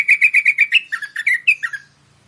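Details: Merbah (bulbul) calling to draw in wild merbah: a run of evenly spaced bright chirps followed by lower, downslurred notes that fade out.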